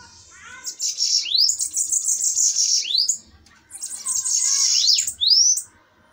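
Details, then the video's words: Fighting bananaquits in a duel give two bursts of shrill, fizzy high trills, each closing with rising slurred notes, separated by a short pause. "DUELO DE SIBITES FOGOSOS!"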